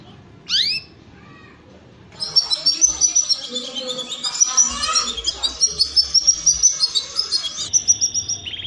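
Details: A canary mating song: long, high, rapid rolling trills and chattering phrases, starting after a brief rising whistle and running without pause.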